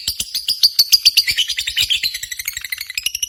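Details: Lovebird competition singing used to excite pet lovebirds: dense, quick, high squeaky chatter, notes tumbling over one another at an uneven rapid pace throughout.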